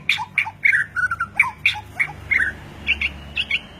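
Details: White-rumped shama of the Medan type singing: a quick string of bright whistled notes and short chirps, alternating high and lower pitches roughly every quarter second, over a steady low background hum.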